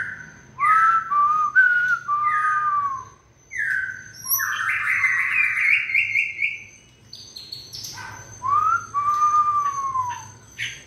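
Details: White-rumped shama in peak 'fire' condition during the 2020 season: clear, fluting whistled phrases that slide downward, with a long buzzy rising note in the middle and varied short chirps between phrases.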